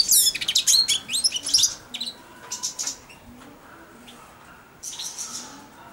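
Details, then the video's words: European goldfinch fledgling of four months, caged and fed by hand, twittering subsong as it perches by the hand: a quick run of sharp high chirps and trills, quieter notes, then a brief renewed twitter. "καρδερινούλα κελαηδάει δίπλα στο χέρι αλλά και πάνω σε αυτό!"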